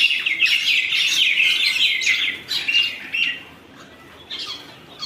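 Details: Fighting birds in a loud, continuous tangle of scratchy chirps and squawks that gradually thins into scattered sharp notes.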